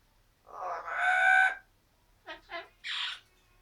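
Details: Pet Amazon parrot indoors making crazy noises: a long, loud grating squawk, then three short clipped squawks in quick succession, the last one higher; quiet room.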